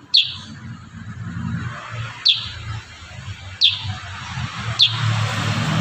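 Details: Kurincang in energetic rapid-fire song for tutoring cage birds: four sharp, high chirps one to two seconds apart, over a steady low rumble and hiss.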